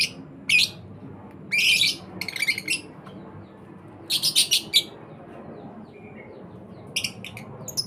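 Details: Young lovebirds from a breeder's stock produce short, harsh, scratchy bursts, a few single and one rapid stuttering run of four, separated by quiet pauses with faint low background noise.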